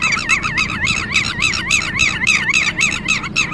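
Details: A red-wattled lapwing alarmed over its lost chick gives a fast, regular series of wavy, piercing notes, roughly three to four per second, unbroken throughout, with low ambient rumble.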